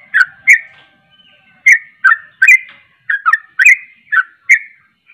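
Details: A more spaced sooty-headed bulbul song meant to rile other bulbuls: clusters of two or three bright, downslurred whistled chirps separated by brief silences, with a faint thin whistle running underneath.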